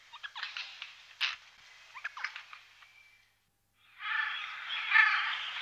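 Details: Eurasian jay heard in the morning, Wittlich valley, Germany, 2018. Soft scattered ticks and clicks for three seconds, a brief silence, then a long hoarse, grating screech.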